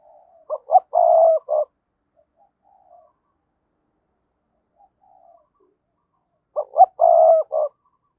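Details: Decoy spotted dove calling to attract wild doves, repeating the same phrase twice about six seconds apart: two clipped notes, a long hoarse rolling coo, and a short end note.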